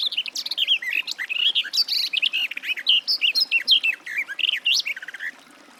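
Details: Sylvia borin in full song, a sustained, fast flowing warble of rich, rolling notes running for over five seconds without a break, then fading to quiet.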